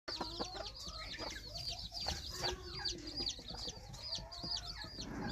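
Red junglefowl chicks in a busy chorus of high, thin, down-slurred peeps, several each second and overlapping, with a few low clucking notes beneath.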